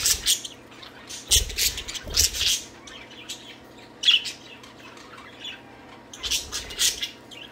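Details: Pet budgerigars playing and singing indoors, some flirting, a jealous male flapping his wings; bursts of harsh, scratchy chirps and squawks in clusters separated by short pauses, over a steady low electrical hum.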